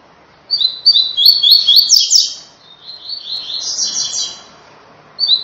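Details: Rusty-collared seedeater singing the "tui tui" song for training caged birds: a continuous rapid chain of high chirped notes climbing in pitch, then a softer repeated run, over a faint low background murmur.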